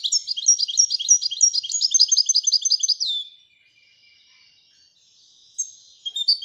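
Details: European goldfinch, royal type, singing a fast rippling trill of high repeated notes for three seconds, then quiet twittering and a final chirp.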